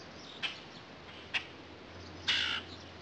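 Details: Common grackle in a backyard gives two short, harsh chack notes about a second apart, then a longer raspy, squeaky burst, over a faint low hum.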